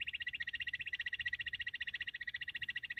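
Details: Bush quail hunting call: a rapid, continuous trill of evenly spaced pulses, high and slightly rolling, unbroken across the whole stretch.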